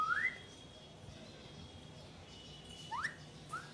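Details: An Alexandrine parakeet, preening, gives three short rising whistles, one at the start and two close together near the end, over quiet room noise.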